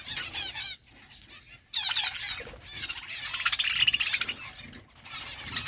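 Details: Several budgies chatter as they eat seeds, trilling, warbling chirps in bursts separated by brief silences, with the densest, most rapid twittering building in the second half.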